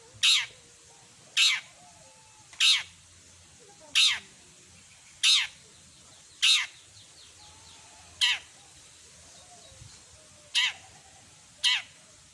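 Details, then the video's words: Long-tailed shrike in full singing form, delivering a mimicry-rich repertoire. Harsh, scratchy bursts repeat roughly every second and a bit. Faint tonal notes from other birds sound softly in between. "Masteran burung CENDET gacor isian lengkap"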